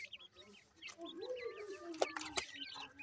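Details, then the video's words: Grey francolin chicks while feeding: small high chirps in quick succession, a longer lower drawn-out note, and two sharp loud clicks. "gray francolin little chicks feeding,teter chicks awaz"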